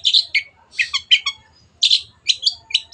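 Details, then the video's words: Long-tailed shrike (cendet) singing hard for caged-bird training: grating chatter mixed with clearer squeaky notes, in short spaced bursts and a faint low whistle. "MASTERAN BURUNG CENDET GACOR"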